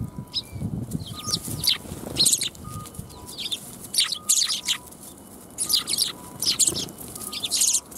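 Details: Several sparrows come to be fed at a Tenmangu shrine on 1 January 2021. They give bursts of short, high, sharp chirps that overlap in busy clusters, with brief quiet gaps and a low background rumble.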